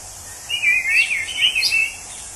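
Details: A wild orange-headed thrush, whose song is likened to a drunk person, sings one rich, warbled phrase of about one and a half seconds, full of quick rising and falling notes, over a steady high hiss.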